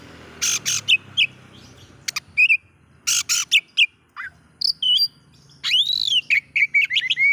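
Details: Oriental magpie-robin singing to excite rival magpie-robins: harsh buzzy rasps and short whistles, then a loud arched whistle and a lively sequence of varied chirps and slurs.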